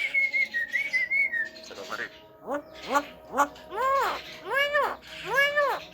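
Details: Javan myna mimicking talking, coughing and laughing: a wavering whistled phrase, then a string of nasal, arched harmonic notes swelling in loudness and repeated roughly every half second to a second.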